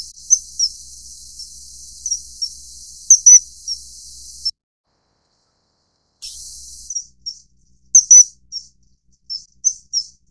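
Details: Common kingfisher (Alcedo atthis) during mating, giving shrill high whistled pips, singly and in pairs, first over a hissing background, then after a short silence in a clearer run of rapid piping notes.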